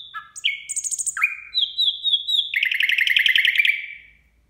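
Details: At New Year a nightingale sings a quick series of varied phrases: dropping whistles, a pulsed high trill, level piping notes and a long, loud, rapid rattling trill that fades out.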